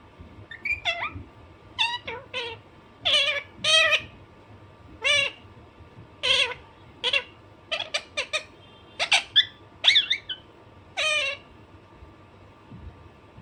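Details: Naughty Alexandrine parakeet kept at home calling in repeated harsh screeches, singles and quick doubles or triples, spaced roughly a second apart for over ten seconds, with a faint electrical hum behind.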